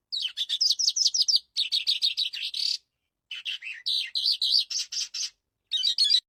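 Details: Aviary-kept breeding calandra lark in lively song: long runs of fast, buzzy chirped notes, several runs of about a dozen beats each, separated by short silences, with varied high twitters between.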